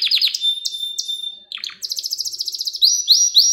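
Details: Canary song meant as a lesson for young canaries, opening with quick descending notes, a held whistle, then a rapid rolling trill and loud upslurred syllables repeated in a row.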